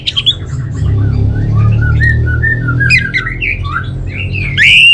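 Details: Orange-headed thrush song made of short chirps and looping slurred whistles that climb and drop, ending in a loud rising whistle, with a heavy low hum running throughout.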